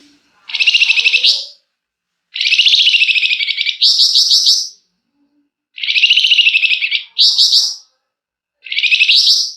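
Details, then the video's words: Energetic flamboyan song, used as bait to make other birds sing: repeated buzzy, rapidly pulsed phrases that each jump to a higher rattle, separated by brief pauses, with no other sounds. "Burung Flamboyan GACOR Ngebrenn RAPET PANJANG!! Nyecrett Emosi Cocok Buat Pancingan"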